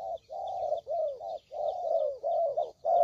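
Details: Spotted dove calling, used as bait sound for trapping: rolling series of mellow coos in close succession, with faint high bird twitters in the background.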